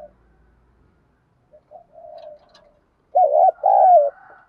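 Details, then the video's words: Spotted dove cooing in the Đồng Pha voice used to lure wild doves: a long quiet lead-in of faint murmurs, then two loud rolling coos near the end, the last one longer. "Tiếng cu gáy giọng Đồng Pha thúc đấu rút bổi nhanh"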